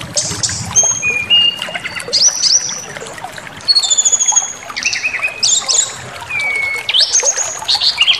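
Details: Emotion-provoking white-rumped shama song with bursts of high slurred whistles, falling notes and harsh buzzy elements separated by short pauses, fairly loud throughout.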